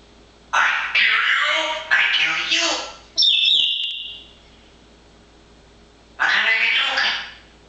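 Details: Pet parrot chattering busily in nice weather. Harsh, broadband squawking bursts in quick succession, one short high whistled tone, a pause, then another raspy burst.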